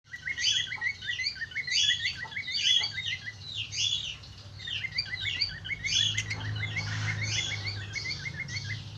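Cockatiels chatter in a steady stream of bright, whistled chirps, several birds calling over one another.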